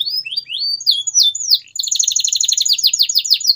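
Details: Canary singing gacor style, meant to push mute canaries back into song: upslurred whistles give way to a rapid run of buzzy repeated chirps and rolling trills, high and clear.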